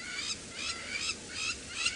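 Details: Crowned lapwing yapping harsh, strident notes, about two each second in a steady series, over faint outdoor hiss, near resting hyenas on a sunset drive, 1 January 2018, Djuma Game Reserve, Sabi Sand, South Africa.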